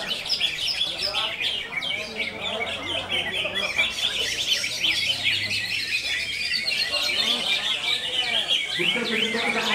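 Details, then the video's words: Greater green leafbird in konslet style, pouring out fast, overlapping high chirps and buzzy twitters without a break, over a low background murmur. "CUCAK IJO KONSLET"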